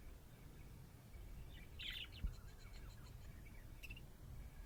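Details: A happy budgie lets out a raspy chattering chirp and then lighter scattered ticks and notes, with a constant low droning noise behind.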